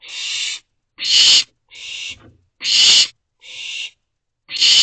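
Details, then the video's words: Owlet of a barn owl pair calling from a nest box at 2:43 am, June 18, 2023, after a vole was brought in: broad rasping hiss-screeches repeated roughly every second, some louder than others, separated by silence. "Calling For the Vole That Was Just Delivered"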